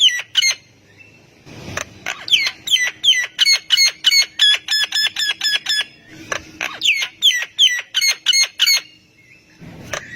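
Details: Energetic Javan myna song meant to prompt other mynas to respond: rapid runs of bright, downslurred whistles with buzzy overtones, repeated about three per second, with a brief noisy break midway.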